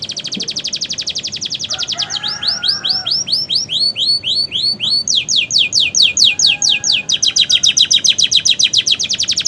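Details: Canary in vigorous song with new feathers, singing imitations of prenjak and ciblek: loud, rapid trills of sharply repeated high notes, about four per second, changing tempo and shape in several long rolling runs.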